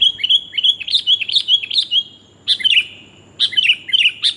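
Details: Female sooty-headed bulbul calling for the male, a sound used to lure birds. A rapid series of ringing, slurred chirps, then two shorter bursts of tumbling notes after brief gaps.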